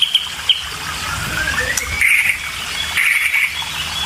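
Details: White-rumped shama chicks, described as always hungry, calling while a parent feeds them: thin drawn-out notes slowly rising to a steady high whine, with brief sharp high chips and a constant rural background hiss.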